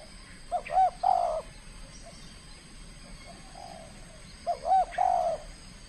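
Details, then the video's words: Trained spotted dove from Kepri, Indonesia, in its first contest bout, showing aggression: two low, hollow cooing phrases about four seconds apart. Each opens with short rising notes and ends in a longer, steady coo over a quiet background. "TEKUKUR SI BINTANG PERDANA LAGA LANSUNG KELUARKAN SKIL NYA"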